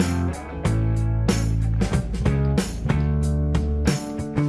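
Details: Plucked and strummed guitar chords over a heavy low bass line, purely instrumental music with no animal sounds.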